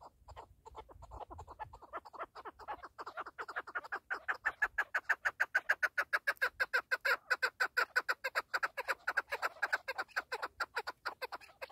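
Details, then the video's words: Loud partridge, keklik in Turkish, starting with scattered low notes and then building into a rapid, rhythmic chuck-chuck series of evenly spaced harsh notes, about three per second, that swells and holds steady. "KEKLİK / PARTRİDGE 1"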